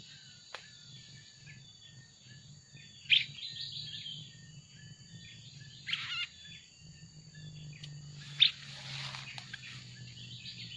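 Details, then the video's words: Black-crested bulbul, a bird being lured with a recorded call during trapping, gives short, bubbly chirped phrases every few seconds over a steady high insect-like whine and low hum, with brief human talk. "Mikat burung kutilang emas pakai mp3"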